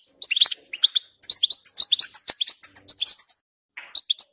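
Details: Goldfinch song for training a goldfinch to sing: clear, rapid chirps and tinkling notes in a fast run, a short pause, then a few more twittered notes.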